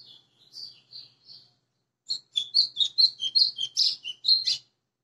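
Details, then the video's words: A white-throated seedeater sings vigorously on 20 April 2020, with a sparrow arriving during filming: a few high, slurred whistles, then a brisk run of about a dozen bright, very high chirping notes. "GOLINHA AÇOITANDO LINDO"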